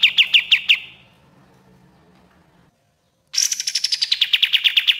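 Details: The end of one fast Common iora trill fades out, followed by silence and a fresh rapid trill of sharp repeated notes gliding slightly downward, from master recordings for teaching captive birds.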